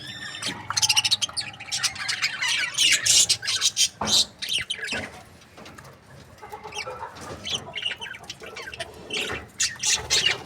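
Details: Several budgerigars from breeding pairs chirp and warble in quick, irregular runs of scratchy notes, about three per second, with a clicking knock near the middle.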